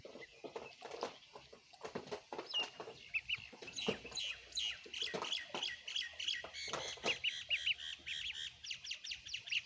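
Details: Ducklings eating food, giving rapid high, thin peeps that run together in quick bursts, with scattered clicks and knocks from feeding.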